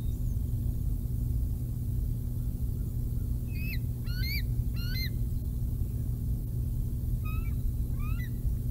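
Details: Bald eagle eaglet, about 111 days old, at the Decorah North nest, 6:45 am on 16 July 2021, as an adult brings a fish. High, thin, slurred whistled chirps come in short bursts over a steady deep rumble of wind or hum.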